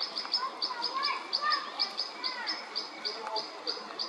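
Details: A European pied flycatcher facing off against a white-backed woodpecker on 29 May 2024 gives sharp, high clicking notes three or four times a second, steady and insistent, over softer chirps and warbles from other birds.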